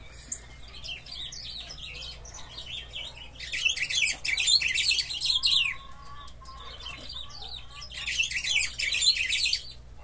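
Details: Buffy-fronted seedeater singing in a cage set right beside another cage; a rapid scratchy twittering comes in two loud bursts separated by quieter chirps, over a low steady hum.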